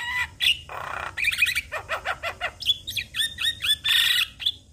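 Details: Javan myna song meant to get other mynas singing. Varied phrases mix a hoarse rasp, fast chattering notes, a series of bouncing down-slurred chips, and bright whistled slurs, closing with a harsh burst.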